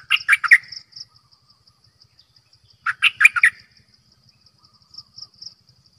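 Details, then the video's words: Decoy bulbul uttering two quick chortling phrases of several rolling notes about three seconds apart, then faint softer notes, over a high pulsing background and a low murmur. "เสียงนกดอกแตงEp.112 Birds sounds #นกต่อเจ้าขันเงิน Suara burung merbah lekir"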